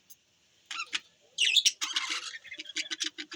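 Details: Budgies on December 25, 2023 chirping: a few isolated squeaks, then a loud scratchy chattering burst, followed by a steady series of short, evenly spaced chirps.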